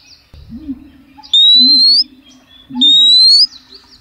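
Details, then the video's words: Female oriental magpie-robin calling to males, giving two long, slowly rising thin whistles a little over a second apart, over a steady low cooing hum. "SIULAN KACER BETINA MANGGIL JANTAN"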